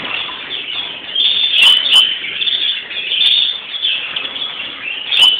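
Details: Palm Sunday greenfinch chorus: unbroken twittering and trilling, rising and falling in loudness every second or two, with short sharp chirps and a few flapping-wing bursts over the constant chatter.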